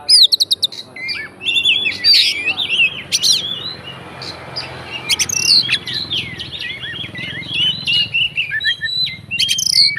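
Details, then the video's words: Fighter-type Oriental magpie-robin song, full of fill-ins to provoke rival magpie-robins: a dense, continuous run of varied whistles, twitters and sharp high chips over a low background hum. "BUNYI BURUNG KACER FIGTER, FULL ISIAN KACER LAIN LANGSUNG ON"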